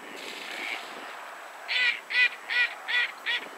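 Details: A Goosander gives a run of harsh, grating croaks, about two or three per second, after a brief quiet stretch of background hiss; recorded in Poland at 51.754079, 20.222983.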